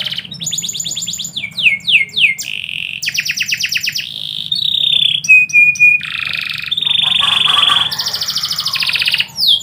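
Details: Canary singing in the middle of the day, a varied high song mixing repeated downward-swept whistles, rapid rattling trills, a short pure whistled note, and buzzy sustained rolls, with few pauses.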